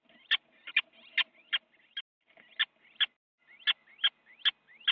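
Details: Inside a nest box in the Netherlands, two little owls fight and one bites the other, early on January 8, 2017; harsh rasping screeches punctuated by loud clicks, roughly two per second, uneven spacing.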